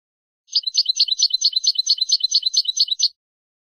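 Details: European goldfinch singing on a recording meant to teach young birds: a steady, lively twitter of about fourteen bright, rolling notes spread over two and a half seconds.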